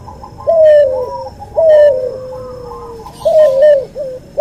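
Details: Hybrid cuhu dove, white albino puter crossed with puter pelung, in a masteran recording: three loud, drawn-out coos, each with a brief rising start then a long, slowly falling tone, separated by quiet gaps.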